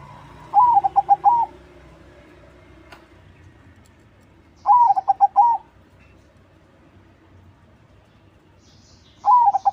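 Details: Crossbred zebra dove singing strongly, used to lure other doves: three gentle rolling coo phrases, roughly four seconds apart, each a run of quick notes bracketed by longer tones, against a quiet background.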